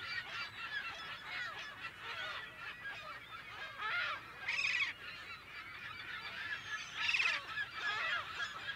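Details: California gull colony, mono recording with date unknown: a fairly distant, continuous din of many overlapping nasal calls, with louder bursts of harsh squeals near four and seven seconds.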